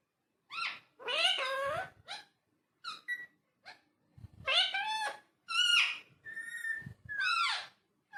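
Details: Parrot talking indoors, mixing chattering harmonic syllables with clear level whistled notes and rounded arching calls, plus a few low knocks between phrases.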